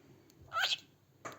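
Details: Pet cockatiel, recorded 25 January 2025, gives one harsh, harmonic-rich screech lasting about a third of a second. A faint click comes before it and a short burst follows near the end. The room is otherwise quiet.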